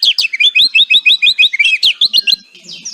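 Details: White-rumped shama in kretekan song, used to prompt silent birds to sing: a quick even series of about a dozen clear slurred whistles, then a few sharper notes before fading.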